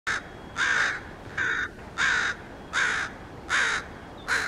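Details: Crows cawing in warning just before three of them dive-bombed the person recording; seven harsh, raspy caws sounding roughly every two-thirds of a second, each short and evenly loud, with no other clear sounds.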